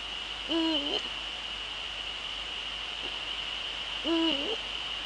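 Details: Male Eurasian eagle-owl, Netherlands, evening of 30 January 2013 at 18:00, giving two deep hoots about three and a half seconds apart, each flat then briefly falling, against a continuous faint high whine.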